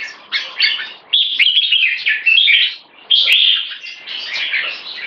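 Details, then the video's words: Red-whiskered bulbul in "one stroke" singing toward keke, three loud bursts of rapid whistled and chirped notes separated by short pauses, with one sharp click. "Jambul Video 1 Troy One stroke singing lead to keke"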